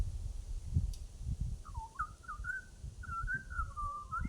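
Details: Australian butcherbird whistling a run of mellow, fluting notes that glide up and down, joined into a warbling phrase in the second half, over steady low background rumble.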